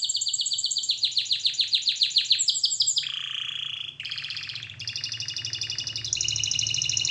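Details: Canary training song: a run of downsweeping notes that speeds up into a rattle, a lower rolling tour, then sustained high buzzy trills, with a faint hum beneath.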